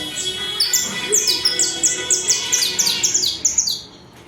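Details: Colombian saffron finch, the coarse brown form, singing loud and clear: a rapid series of high, sharp descending chips, several per second, with faint background noise.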